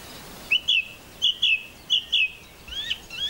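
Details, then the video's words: Song thrush singing in May 2021 on Castlemorton Common near Malvern: a bright, whistled phrase of two quick notes given three times in a row, then a different rising, slurred figure. "A minute of birdsong: Song thrush"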